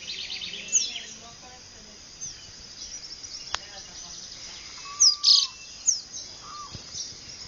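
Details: Dawn birdsong in the Venezuelan llanos at Ciudad de Nutrias, Barinas, on February 12, 2009: several birds give sharp high chips and squeaky notes, with a lower whistled slur, scattered over soft rural background.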